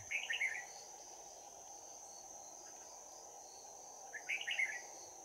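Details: Trapping session with a bell-voiced Red-whiskered bulbul decoy in fighting song, 11 January 2019; a quick chirpy warbled phrase opens, a long pause follows, then a second similar phrase, with constant shrill insect hum behind.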